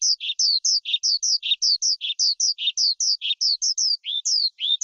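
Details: Skylark from the forest repeating short two-part phrases, a high downslurred chirp followed by a lower buzzy note, at a quick, fairly even pace through the passage. Clean recording for stimulating and training birds.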